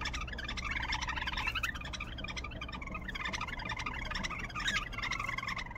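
A bulbul sings busy, chattering runs of bright warbled notes, rising and falling in quick bursts, over a steady low hum.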